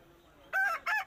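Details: Rooster standing and playing while making noise: short loud harsh crowing syllables after half a second of quiet, broken into three bursts.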